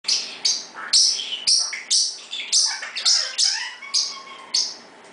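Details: Pet parrot in its usual 6pm loud round of chirping, meant to show it is still there; high, bright chirps repeated about twice a second, steady and insistent.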